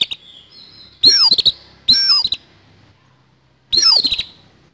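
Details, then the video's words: Fighting song of an oriental magpie-robin in a harsh style: three loud scratchy bursts, each a falling whistle tangled with fast ticks, about a second apart, with soft high notes between. "KACER TARUNG ISIAN KASAR"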